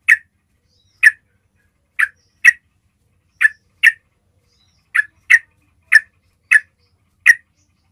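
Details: Yellow-vented bulbul call for attracting other bulbuls: twelve crisp, abrupt notes, often in pairs, spaced about half a second to a second apart, clean and without other sounds.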